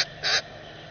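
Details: A young common grackle being fed by its parent, captured on a bird cam. Two brief, rough, scratchy squeaks: a clipped one at the start, then a fuller burst, over low steady hiss.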